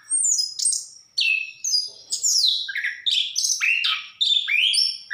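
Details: Orange-headed thrush in full song, giving rapid, varied phrases of downward-slurred whistles and sharp high notes, packed closely together with only short pauses.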